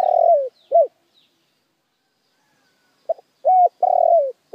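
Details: Spotted dove used as a lure bird, cooing in short bursts: two quick coos, a pause, then a clipped note and two long, slightly falling coos, all low and mellow, with a quiet background.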